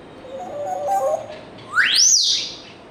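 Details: African grey parrot making pet sounds: a faint wavering whistle near the start, then a loud whistle sweeping sharply upward, peaking and falling slightly, with a held high tone afterward.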